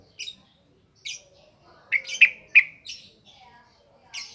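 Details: Yellow-vented bulbul, lure song in the ngropel ngalas style: spaced, sharp chirps, with three louder ringing notes clustered in the middle, against a quiet background.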